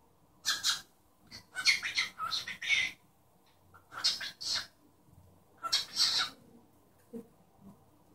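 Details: Pet cockatiel chattering in imitation of speech and mimicking its owner's sneeze; a series of breathy, hissing, voice-like bursts and short phrases with pauses between, ending in a few quieter low squeaks.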